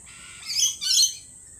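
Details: Lorikeets at a lorikeet cafe give two loud, harsh screeching bursts in quick succession, each under half a second, over a steady thin high-pitched background tone.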